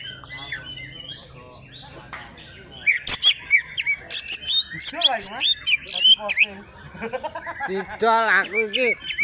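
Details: Greater green leafbird from Alas Purwo, Banyuwangi, a fighter with crest raised and tail fanned, pouring out a harsh varied song of rapid chips, high whistles and buzzy chevron-shaped notes about four per second.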